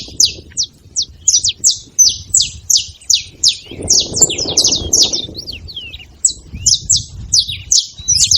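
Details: Flock of saffron finches at a feeding spot producing a rapid, irregular run of high sharp chirps and a few whistled slurs, with a brief rustling noise midway.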